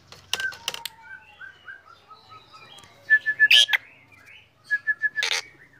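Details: Morning song of a black drongo: a soft series of low, wavering whistles, then two loud bursts of quickly repeated short notes broken by a rasping, broadband note.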